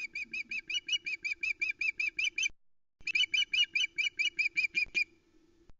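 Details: Loch Arkaig nest camera, 2 July 2020: a female osprey fish-calls in indignation after the male departs with a big trout; two long runs of evenly spaced, high piping whistles, about three per second, over a faint low hum.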